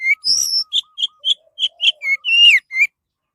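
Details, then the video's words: Orange-headed thrush song, used to draw other birds into singing: a buzzy high note followed by rhythmic short whistles about every quarter second, ending in a long falling slur, with soft lower notes repeating behind. "SUARA BURUNG ANIS MERAH"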